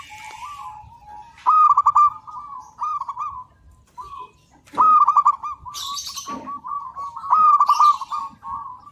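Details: Singing local zebra dove used as a training master: bright, stuttered cooing phrases that roll into a sustained trill, repeated every few seconds over a bed of quieter overlapping dove song and a brief chirp.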